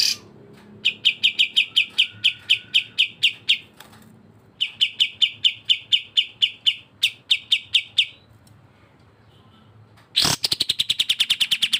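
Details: Cucak jenggot, the grey-cheeked bulbul, on a songbird-training recording shared with kapas tembak: long strings of rapid, bright, slurred chirps in bursts separated by short pauses, ending with a harsh noisy rush then faster chirps.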